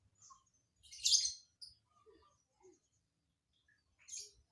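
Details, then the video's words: Lovebird with an unusual, hard-to-predict fill-in (isian) song: a loud, harsh, buzzy chirp burst near one second, a few faint short notes, and another rasping chirp near the end, in a quiet setting. "Burung lb isian aneh"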